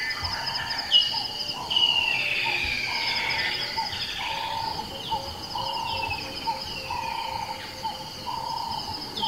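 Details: Nightjar in the early morning in Kruger National Park, South Africa: clear descending whistled slurs repeated several times, over steady high insect-like droning bands and scattered chirps.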